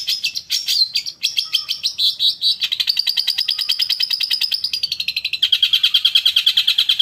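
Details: Cendet lure song for caged long-tailed shrikes: rapid trills that shift in speed and pitch, from scratchy varied notes into a long buzzing rattle, then a quicker, purer trill at the end.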